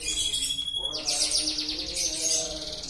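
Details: Canary singing at length: a thin, steady high whistle held for nearly a second, then a fast, even trill of rapidly repeated downward-sweeping notes that continues to the end, over faint steady low tones.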